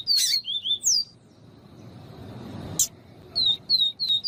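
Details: Yellow-bellied seedeater (papa-capim viviti), clean viviti song with female call for exciting a male: high falling whistles and lower slurred notes, a lone sharp chip after a pause, then more thin down-slurred whistles.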